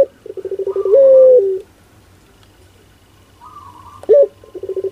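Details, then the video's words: Indoor pelung turtle dove giving a fast run of low pulsed notes into a sustained coo, then a pause, a higher slurred note and a sharp rising hoot before the pulsed series begins again. "Suara LUCU PUTER Pelung"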